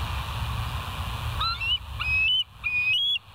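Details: Bald eagles at the West End site, on a live nature cam, 08/10/2023 at 06:15: a run of high, thin whistled notes, several rising or sliding, then quick chittering pips, over a steady low rumble.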